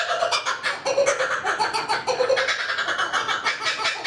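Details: A lone kookaburra perched quietly in a tree by a lake near Tuggerah, Australia, gives dense, rhythmic chuckling cackles that pulse steadily throughout, rich and raucous, with no other clear sounds.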